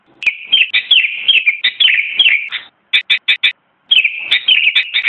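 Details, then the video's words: Lively chattering song of a sooty-headed bulbul: a fast run of bright, bubbly chirps, then a brief cluster of sharp clipped notes and a short gap before the chirping resumes. "Suara Kicauan burung kutilang mp3 (sooty-headed bulbul)"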